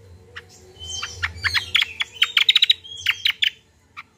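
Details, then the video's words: Common iora in lively song, played to coax untrained captive birds into singing: rapid run of sharp chirps and buzzy high notes, densest in the middle, then a pause and a last single chirp, with a low background hum. "BURUNG KACIAL KOMBO GACOR"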